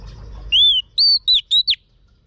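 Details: Female Oriental magpie-robin (chòe than mái) calling to rouse a male: a long arched whistle followed by four short, sharp upslurred whistled notes in quick succession, in a quiet setting.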